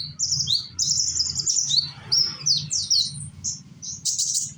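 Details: Young sunbird of Indonesia singing as a lure for other sunbirds; continuous shrill twittering of tight, sweeping high notes run together, accompanied by a low humming noise underneath.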